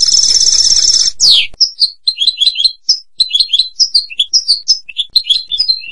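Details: European goldfinch delivering a long harsh buzzy note and a falling sweep, then a lively string of tinkling, twittering chirps in quick, uneven succession.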